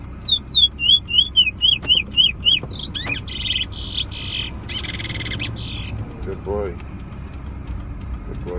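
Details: Bullfinch singing at a bird competition near Preysal: about eight quick, clear whistled slurs repeated in series. Harsher buzzy, rasping notes follow. The song fades toward the end, with people talking and a low background hum.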